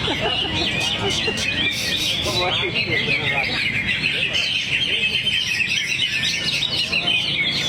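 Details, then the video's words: Greater green leafbird, known locally as cucak hijau, kept as a songbird and unloading song material while swaying: dense, fast, high trilling and chirping for the whole stretch, with murmured voices in the background. "Cucak Hijau Luke H. Yogi buang materi sambil teler"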